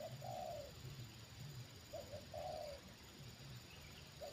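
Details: Spotted dove kept for luring wild birds, reacting to a wild bird's second descent: distant-sounding low coos, a short note then a longer falling one, repeated about every two seconds over a steady hiss of background noise.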